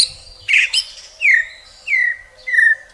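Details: White-rumped shama giving a harsh burst followed by three clear downslurred whistles, each about a second apart, with soft background noise.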